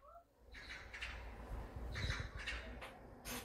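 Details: Eurasian jays, gathered in front of a house in central Seoul near the lunar year's end, give harsh, raspy screeches in quick bursts, several each second, while bustling and shouting as they walk about, over a low rumble of city traffic.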